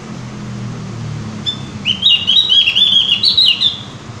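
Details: Javan grey-throated white-eye prompting song: a thin lead-in note, then a fast, warbling stream of high chirps for about two seconds, with a low hum beneath.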